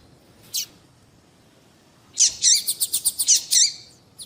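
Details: Female papa-capim (seedeater) calling to excite males into song: one lone chirp, then a rapid run of about eight high notes with bending lower tones, ending with a faint final chip.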